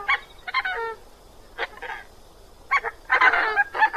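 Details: Coscoroba Swan giving its slightly gruff honking call: clipped, nasal honks in short clusters of two to four notes, split by pauses of about half a second, growing denser and louder toward the end.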